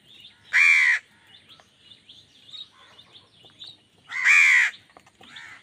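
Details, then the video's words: Angry crow competing with wild birds for food: two harsh, grating caws about three and a half seconds apart, with scattered soft chirps and twitters of small birds between them. "Angry kawa ki awaaz"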